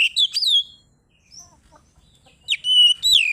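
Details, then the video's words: Oriental magpie-robin, a kept bird singing in the open 'ngeplong' style meant to call a rival and provoke other birds: two bursts of loud whistled notes sweeping down near the top of its range, separated by a quiet gap. "Suara burung Kacer ngeplong memanggil lawan bikin emosi"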